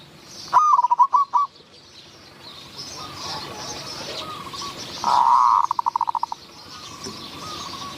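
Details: Zebra dove coo recorded outdoors near bushes in Wapi district, Maha Sarakham, Thailand, during decoy luring of wild doves. Two bursts of rapid staccato rolling notes, the second with a brief sustained trill, over a steady insect hiss.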